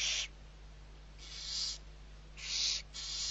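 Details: Young barn owls being fed at Riet Vell reserve, Ebro Delta, Spain, on 21 November 2023. Short, airy, hissing rasps swell and fade, three or four in quick succession, over a low background hum.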